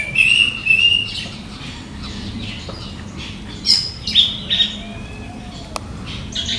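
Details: In India (tagged Balagarh, Jirat), an orange-headed thrush gives thin, high, squeaky notes and a few sharp, screechy calls, irregular and about half a second apart, over a low background hum.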